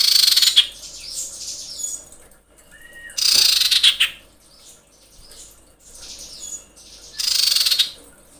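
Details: Female common iora, in heat, calling males with harsh rattling screeches: three loud, pulsed churring bursts roughly every three to four seconds, a short thin whistle between them.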